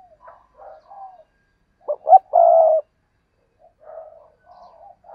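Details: A single loud spotted dove phrase, two short sharp coos leading into a long, steady coo, with faint murmuring coos from other birds before and after.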